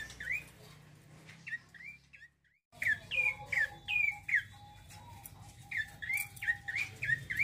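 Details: Rolling 'ngeroll' song of a male bar-winged prinia: quick repeated sharp, upslurred chirps, interrupted by a short silent gap, then resuming loudly and rhythmically above a low hum and faint steady tone.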